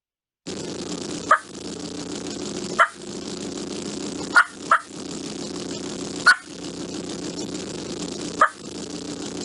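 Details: A wild turkey in North Carolina gives six short, sharp clucks spaced unevenly about one to two seconds apart, over a steady background hiss; the cluck is a general, reassuring contact call, for example a hen noticing a gobbler.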